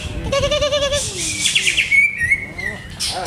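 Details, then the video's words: Caged greater green leafbird whose conditioning is still being tested. A short, low harmonic note opens the clip, then bright high whistles and ringing slurred notes follow, ending in a sharp burst. "CUCAK HIJAU"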